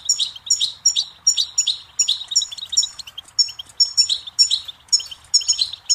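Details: Goldfinch song meant for teaching young birds and songbirds: steady, lively run of ringing, metallic twitters, with a phrase roughly every half second throughout.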